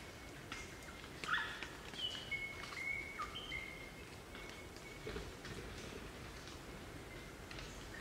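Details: Crimson rosellas in Australian bush at Barrington Tops National Park, New South Wales, a group singing and chattering; thin sustained whistles and a few short squeaky notes, fairly distant against steady background noise.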